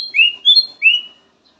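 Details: Kutilang emas (black-naped oriole) song variation: three clear whistled phrases, the first and last slurred slightly upward, a higher bright note between them, all within about one second.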